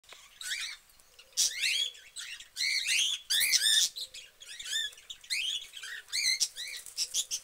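Cockatiels chatter in bright, harmonic chirps and short arching whistles, several birds calling over one another.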